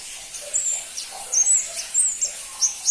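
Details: Crimson-breasted flowerpecker (pentis pelangi) giving sparse, thin, very high chips and short slurred whistles spaced about half a second apart, with faint hiss behind.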